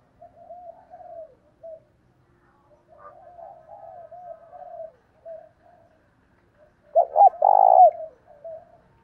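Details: Spotted dove decoy calling wild doves to its perch, in the 'thổ đồng' voice. A long run of gentle, rippling coos ends in one loud phrase of three hollow notes, the last one held.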